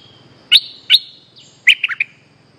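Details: Bulbul luring call, used to draw back an escaped bird: two sharp chirps with a sliding whistle, then a quick run of three or four bright chirped notes, over a quiet low hum.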